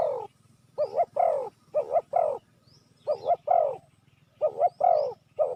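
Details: Spotted dove cooing, used as a call to lure wild doves. Low, hoarse coos in groups of two or three notes, each group repeated about every one and a half seconds. Faint thin chirps of other birds sound above.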